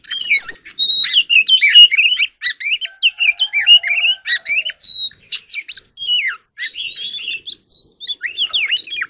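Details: White-rumped shama in full song, a loud, continuous, varied stream of rich whistles, rising and falling slurs and scratchy chattering phrases, with little pause between them.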